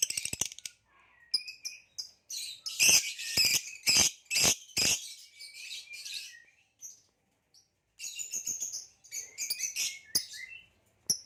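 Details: A captive male green hybrid Nyasa lovebird, purple-rumped, produces bursts of high squeaky twittering and harsh chatter, with loud rhythmic clicks in the middle and pauses between phrases.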